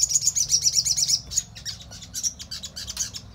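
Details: Loud, fast, high-pitched trilling from a crimson sunbird, used to provoke other birds to answer. Rhythmic bursts open the recording, then looser tweets and short warbles follow.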